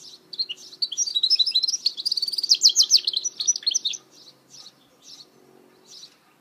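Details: Mule of a goldfinch delivering about four seconds of continuous, fast, high-pitched twittering and trilled phrases. The song then breaks into a few separate short chirps.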